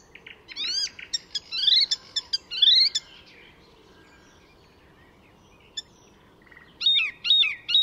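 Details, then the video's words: Icterine warbler in song at a wetland reserve in Sweden, copying other birds: rapid grating chirps and rising whistles, a long near-silent gap with one click, then three strong harsh chirps. "Icterine Warbler in full song; A master of mimicry…"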